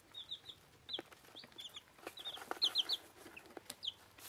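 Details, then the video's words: Bantam Plymouth Rock and bantam Rhode Island Red chicks, one week old, peeping while feeding: thin high cheeps in quick pairs and triplets, some sliding downward, over dry clicking pecks at the food. "Küken fressen"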